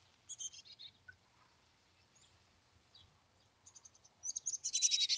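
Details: Wild chickadee at a nest cavity near Emigrant, Montana, July 14, 2022. Short bursts of thin, high chirps open the clip. A quiet gap follows, then a faster run of bright, high, rapidly repeated notes at the end, over faint low rumbling.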